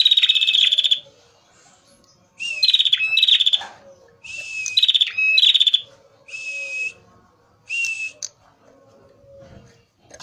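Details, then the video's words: A singing male prinia, known locally as prenjak merah and used as a lure, gives short, harsh buzzy bursts of under a second, some rattled or pulsed, separated by pauses of one to two seconds. "pancingan prenjak merah gacor jantan full materi"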